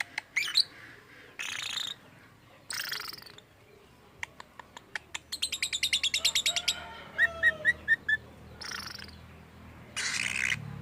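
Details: Lovebird making strange sounds, said to imitate human speech: harsh, noisy screeching bursts, a fast run of dry clicking pulses, then a string of short high whistled notes before more raspy squawks.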